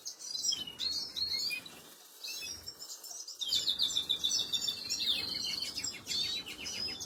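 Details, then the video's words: Canary babies during feeding, 26 April 2022: bursts of high, squeaky twittering come and go in uneven clusters, separated by quieter gaps. "خواردن دان بەبێچوی کەناری،أطعام فراخ الكناري,Canary Feeding Baby"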